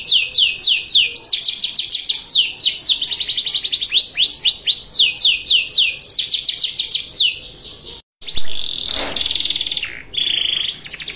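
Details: Canary singing a cengkok mewah master song for training other canaries: long, fast trills of steeply falling high notes, a brief gap, then steady flat buzzy trills.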